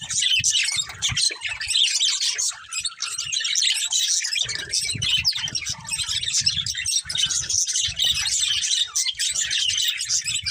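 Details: Budgies of a family group chatter steadily for ten seconds, layered high chirps and warbles with no real pause, while soft low knocks and rustles run underneath.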